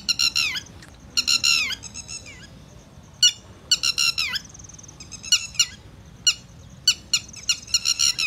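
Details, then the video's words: A bird gives loud, harsh, high chirps in short bursts, some quick clusters and some single sharp notes, spaced irregularly across the recording with a quiet background between. "Birds' chirping"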